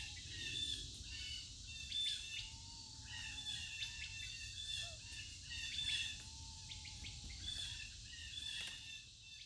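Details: Wild birds calling outdoors in a family's nature recording: short high chirps and brief twittering bursts recur at irregular intervals over a steady insect-like hiss, with a soft low whistle drifting in the middle register.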